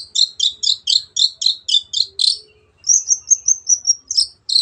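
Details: Long-tailed shrike in vigorous song, a clean recording for teaching other birds: a fast run of nine buzzy, scratchy notes, a short gap, then a quick series of thin, high whistled notes.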